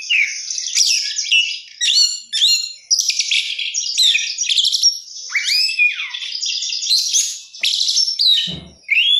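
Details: Oriental magpie-robin in full 'gacor' song with rich 'isian mewah' fill-in: choppy bursts of chatter, sharp chirps and downward-sliding whistles separated by short pauses, with a faint click near the end.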